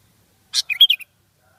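A sooty-headed bulbul gives a brief burst of bright, bubbly whistled notes, about four quick phrases in half a second, with a harsh opening note; otherwise quiet.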